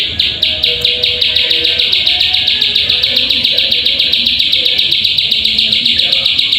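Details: Plain prinia call as a lure so birds will sing: strong, high-pitched rasping chirps repeated rapidly, roughly four a second, slightly uneven in spacing, continuing throughout.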